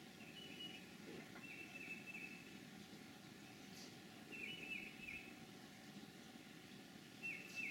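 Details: A red-headed woodpecker (Melanerpes erythrocephalus) in Transylvania County, North Carolina, April 21, 2013, gives harsh, raspy, level calls about a second long, four times at uneven intervals, over a steady low rumble of distant traffic.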